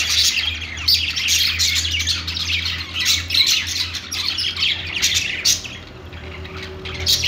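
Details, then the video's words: Crowd of budgies in a pet shop giving rasping squawks mixed with quick high chirps, the chatter dipping briefly near the end, steady background hum. "budgies calling sounds | parakeet chirping sounds in pet store"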